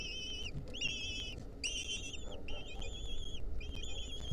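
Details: Wild lesser kestrel chicks in their nest, a centipede crawling on them, 2023: repeated high, quavering whistles with a slight trill, each lasting about half a second, set against constant low background hum.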